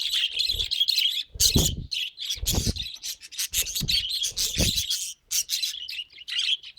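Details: Pet budgerigar warbling in quick, scratchy chirps and twitters, interrupted several times by loud low bumps or knocks, with short gaps between bursts.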